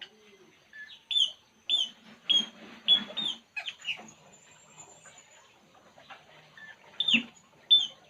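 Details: While relaxing, a puling bird repeats a short rising whistled note about every half second in a steady series, then pauses with soft background noise before two more loud whistles near the end.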